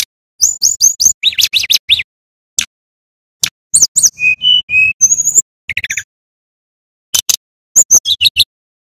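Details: Male brown-chested jungle flycatcher from Bali singing, used to lure and train young birds: separate bursts of sharp high whistles, short descending trills and a few steady clear mid-pitched notes, broken by silent gaps.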